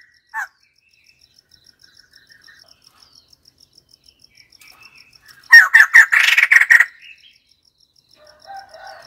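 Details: White-crested laughingthrush: one loud, chattering, cackling outburst of rapid harsh notes lasting just over a second, set between long quiet stretches with steady faint ticking and a few soft calls.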